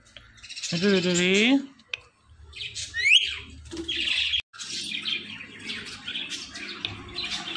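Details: A pet parrot chatters in a drawn-out, harmonic, voice-like phrase, then gives a sharp upward-sweeping whistle and a stretch of busy, noisy chatter.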